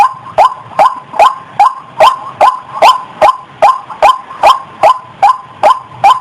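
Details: Female white-breasted waterhen in breeding condition, about to mate, calling with a steady series of loud, hoarse, rising croaks, roughly two and a half per second, evenly spaced throughout.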